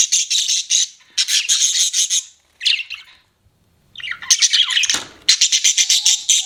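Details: Pet budgerigars chattering in loud buzzy bursts of rapid grating notes separated by short silences, with a brief rasping sweep in between.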